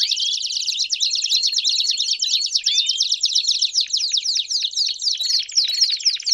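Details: A canary, recorded to stimulate singing and train young birds, sings a long, fast stream of high, rolling trills and bright chirps.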